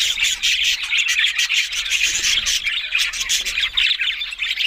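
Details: Several budgerigars chattering together, a dense, continuous warble of squawks and chirps with rapid clicking notes layered throughout and no pauses.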